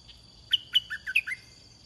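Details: One crisp red-whiskered bulbul phrase from a decoy-luring session: two high clear whistles followed by lower warbled notes, lasting under a second, with faint electrical whine underneath.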